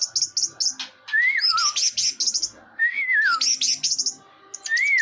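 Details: Orange-headed thrush repeating a phrase of rapid high chips followed by a rising-then-falling whistled slur, about every one and a half seconds, rich and loud.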